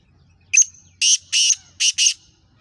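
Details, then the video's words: Gangas Sheedi cross black francolin (kala teetar), Nasal Chakri Wala type, giving a speeder call. A short high note precedes four harsh, broadband rasps in an even rhythm, the final pair tightly spaced. A faint low hum sits underneath. "Black Franclion Voice Speeder Kala Teetar"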